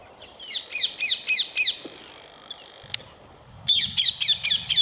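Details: Rose-ringed parakeets eating apples on wire mesh give rapid, evenly spaced shrill screeches in two bursts of about five, separated by a brief lull with a click.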